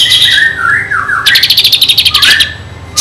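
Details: Kinoi in vigorous song with fill-in phrases, used to tutor white-rumped shamas: a wavering slurred whistle dipping and rising, then a quick rattling trill of evenly spaced notes ending in a rising whistle.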